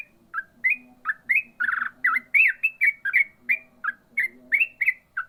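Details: Yellow-vented bulbul in rapid ropel song, a nearly unbroken run of about twenty loud chirping whistles, some warbled and slurred, tumbling out several per second above a quiet low hum.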